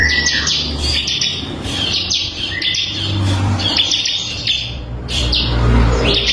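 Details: Crystal white-eye song, kept for tutoring other songbirds: rapid high chattering bursts with short falling whistles, sharp notes about three per second, over a low engine rumble.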